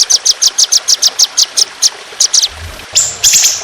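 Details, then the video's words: Trotolan, an Indonesian songbird, in a masteran training recording with trickling water in a fierce, harsh shooting style: a fast series of sharp, high ticks, a brief pause, then a loud, harsh, scratchy burst. "Masteran Burung Trotolan Jahat Tembakan Panjang Kasar Ngedur"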